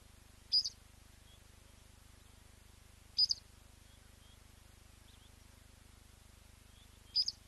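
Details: Blacksmith Lapwing at a nest where leucistic chicks hatched within the last 24 hours, on a safari lodge webcam, giving three short, high, sharp calls spaced about three seconds apart over a faint low steady hum.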